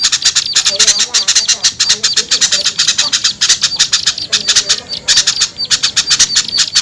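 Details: Lure calls meant to pull small birds down from cover: dense runs of shrill, clicking chirps in fast bursts, separated by short pauses, with faint lower chattering in the background.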